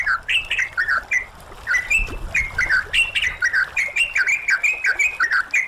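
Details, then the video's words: Yellow-vented bulbul chatter in a training recording meant to bring birds into full song, for morning or night use: lively overlapping bursts of short whistled, slurred notes, rising and falling, tumbling about once a second, several voices seeming to overlap. "MASTERAN BURUNG TRUCUKAN GACOR"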